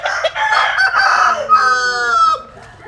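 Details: Rooster in southern Vietnam's western countryside, basking in sunshine, gives one full strident crow. Rough opening syllables lead into a long, steady, ringing ending that drops off sharply, with quiet background after.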